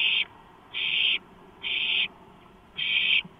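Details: Hungry owlets over a freshly delivered large rodent, 23 March 2015 just after midnight: four raspy screeching hisses roughly every second, with low background noise.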